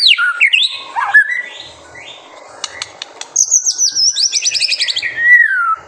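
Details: White-rumped shama, lively master song used to provoke young birds into singing; descending slurred whistles, a pause with clicks, then a fast trill of high repeated notes ending in a long falling whistle.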